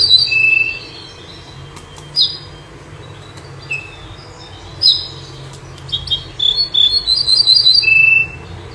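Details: Common nightingale, noted for singing both night and day, giving scattered short whistles and sharp notes that build into a fast run of high repeated ringing notes, ending in a sustained lower whistle, with a constant low hum behind.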